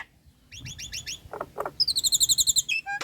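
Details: Female Nias hill myna in breeding condition calling the male: rising slurred whistles in quick series, two low hoarse notes, then a fast regular run of high piping notes and a final sharp whistle.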